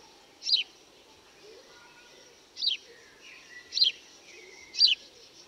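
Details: House sparrow giving four short, bright chirps about once a second, each a quick downward-slurred note, over soft background hiss and faint distant twitters.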